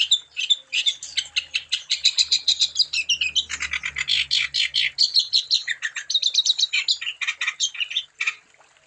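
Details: Long, vigorous wambi song for stimulating other wambi to sing: continuous rapid, buzzy chattering with whistled inflections, roughly five notes a second, and a faint low hum in the background.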